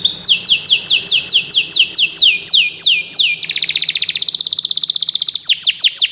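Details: Canary of the Indonesian Kenari Nusantara type in long, continuous gacor training song for birds that have stopped singing: rapid downward-sweeping whistles about three per second, a fast buzzy trill midway, then more sweeping notes.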